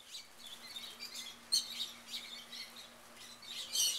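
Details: Shrill, squeaky chirps from wild rosy-faced lovebirds in a Mesa, Arizona backyard, overlapping in a busy chatter that grows louder toward the end over a faint steady hum.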